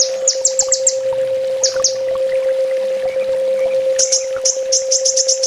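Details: Master song of a sunbird used for training: a short burst of high chirps, a quiet stretch with two notes, then a dense, fast high trill to the end, steady hum behind.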